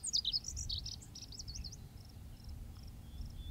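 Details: A male lazuli bunting opens with a quick burst of bright, high slurred and buzzy syllables lasting under two seconds, followed by thin, evenly spaced faint notes over a low background hum.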